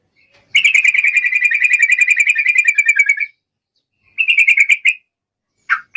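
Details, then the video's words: Yellow-vented bulbul, the song style locally called ropelan: a fast, buzzy chattering trill held steady for nearly three seconds, a shorter burst of the same trill after a pause, then two brief rough notes. "trucukan malas bisa rajin bunyi dengar ini"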